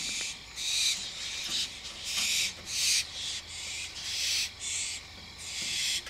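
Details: An adult and a juvenile barn owl call to each other at 11:30 PM, giving harsh, breathy hissing screeches, each about half a second long, in an uneven stream of roughly one per second.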